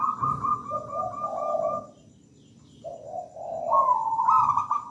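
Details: Melodious song of a local zebra dove: a run of bright stuttering coos dropping into a rolling lower purr, a pause, then another purred phrase rising back into quick higher notes.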